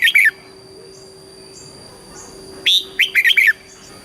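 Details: Red-whiskered bulbul song, southern Thai style, for rousing and training caged birds: a brief whistled fragment, a quiet gap, then a lively phrase of four or five quick, warbling notes over a constant hum.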